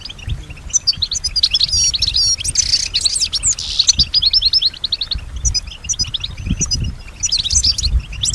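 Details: European goldfinch singing with strong stimulation, said to imitate other birds and human sounds; bright twittering with a harsh buzzy passage near the middle, then sparse chirps and a final burst of twitters.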